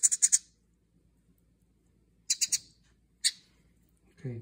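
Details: House wren nestlings in a birdhouse crying for food after their mother disappeared; three short bursts of sharp, high chirps separated by silence, then a brief low rustling sound at the end.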